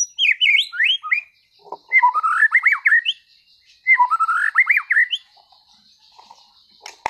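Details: Competition-class white-rumped shama (murai batu) singing freely in 'tembakan' bursts: two rich phrases of loud, varied whistles, sweeping and slurred notes between mid and high pitch, each about a second long, separated by short pauses. A sharp click closes the clip.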